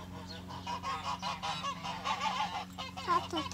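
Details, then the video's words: Farm geese kept alongside chickens in spring give a quick run of overlapping nasal honks, harsh and strongly harmonic, several birds calling almost without pause over a steady low hum. "Goose Sounds"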